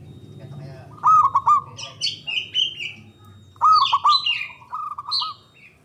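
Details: Javanese local zebra dove, strong and loud, used as a lure for trapping and for prompting quiet doves: two phrases of quick, bubbling coo notes, with squeaky chirps from other birds around them.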